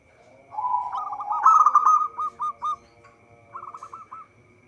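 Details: A zebra dove of local stock sings for use as a trapping lure. A rising rolling coo swells, then breaks into a string of short, evenly spaced beaded notes, followed by a softer trill.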